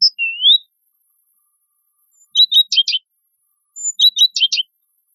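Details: Common myna singing: a rising whistled slur opens, followed after a pause by two bursts of clipped, clicking chirps mixed with buzzy notes, each burst lasting under a second, in an otherwise quiet setting.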